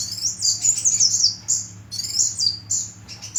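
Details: Dense, shrill hummingbird twitter of high squeaky notes run together in two short bursts.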